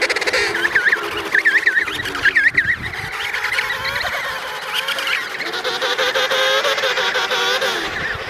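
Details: Emperor penguins, an adult pair with their chick in the Davis Sea: several rising-and-falling warbled calls repeat quickly in the first half, then a steady low harmonic trumpeting call. A busy background of other colony voices continues throughout.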